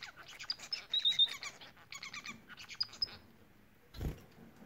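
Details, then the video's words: Bengalese finch singing: quick buzzy chatter with high thin whistles in short phrases, followed by a brief low knock. "Bengal ispinozu ötüşü Bengalese Finches society singing"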